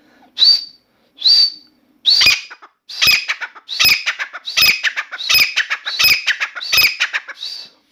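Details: A Grey francolin in a room sings a sustained series of loud, grating notes, two clear rising calls opening a rhythmic run of harsh repeated phrases, roughly one every 0.7 seconds.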